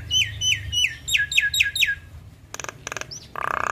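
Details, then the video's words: Caged female Javan myna in energetic full-isian song: six clear downslurred whistles repeated about every quarter second, then dry clicking bursts and a harsh buzzy rasp; low background hum. "Jalak Kebo gacor Full isian Biarpun Betina Tetap rajin Ngoceh"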